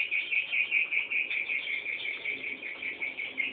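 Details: Nestling swiftlets waiting for a parent, uttering regular, rapid high chirps in a pulsing series, roughly two and a half per second, over a faint background hiss.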